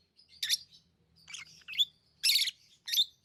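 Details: Lovebirds chatter with harsh, squeaky chirps, some short and thin and others loud and rasping, five or six notes in three seconds over a soft low hum.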